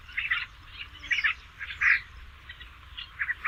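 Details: Basra reed warbler song, recorded as a tutor recording for training songbirds: harsh, chattering, croaky notes in short bursts, repeated irregularly about every half second, with quiet low background rumble.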